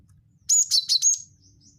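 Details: Loud cinereous tit (gelatik batu wingko) lure phrase: four rapid high chirps with a buzzy, slightly descending quality, ending in a thin fading whistle, over quiet low hum.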